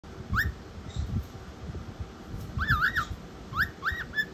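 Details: Cockatiel (Nymphicus hollandicus), whistle.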